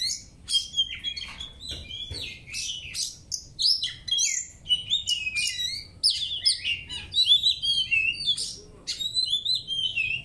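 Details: Oriental magpie-robin in training, delivering a continuous, fast-paced song of bright whistled notes, rising and falling slurs and scratchy chirps, packed tightly over ten seconds with almost no pauses.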